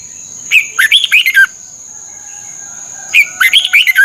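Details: Red-whiskered bulbul song from Thailand, used to stimulate and train caged birds. Two quick, bubbly phrases of rising and falling whistles are separated by a pause of about two seconds. A thin, continuous high tone sits underneath.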